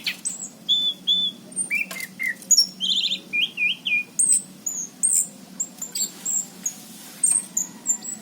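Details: Actively singing orange-headed thrush, Cirebon, 2019: paired high whistles, brief warbled trills and a stream of sharp, evenly repeated chirps roughly twice a second toward the end.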